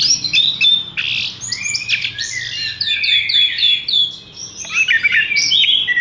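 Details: A caged Horsfield's bush lark, hung up at once, sings a fast, continuous stream of high chirps, buzzy trills and whistled slurs, briefly fading before resuming with squeaky varied phrases.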